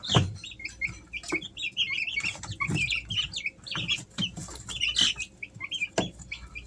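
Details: Easter Egger chicks three weeks old, at home in summer: overlapping high peeps and short chirps from several birds, with repeated scratching, tapping and thudding noises throughout.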